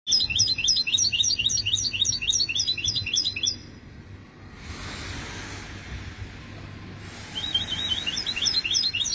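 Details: Goldfinch hybrid (goldfinch mule) singing, 2020: rapid series of high, sharp repeated chirping notes for about three and a half seconds, a pause with soft background hiss, then the fast repeated phrase resumes near the end.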